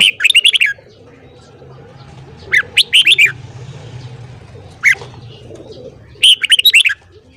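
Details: Red-whiskered bulbul morning song: lively bursts of rising and falling whistled notes, a lone note midway, then a final rapid phrase, with a continuous low background drone.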